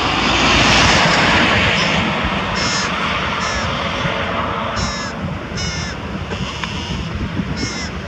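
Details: Carrion crow near Diemerbos on 22 July 2020, carrying prey and feeding its young. Harsh caws come in short bursts, spaced about a second apart in the second half, over a loud roar of a passing aircraft.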